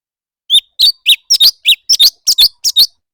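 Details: Competitive leafbird singing, a steady stream of piercing, down-slurred chirps and twinned notes, about ten bursts in under three seconds, without background noise.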